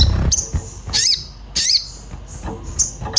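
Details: Agitated Orange-bellied flowerpecker searching for a mate, used as a singing lure: two loud, sharp, high calls with wavering bent tones, thin short whistles between, and a low thump at the start.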